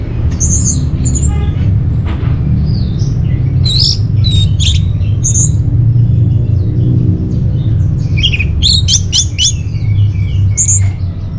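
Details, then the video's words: Orange-headed thrush song used as a lure and master song for caged birds: varied clear whistled phrases and sharp high notes in bursts, some rising and falling, over a steady low hum. "Bikin Geger ANIS MERAH Dirumah Pasti Gacor || Pancingan sekaligus Masteran Burung Punglor"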